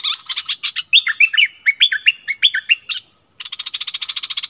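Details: Streak-eared bulbul kept as a decoy bird, recorded 16 February 2021. Quick bubbly chirped notes, some sliding down, run for about three seconds. After a short pause comes a fast, steady buzzy pulsing train.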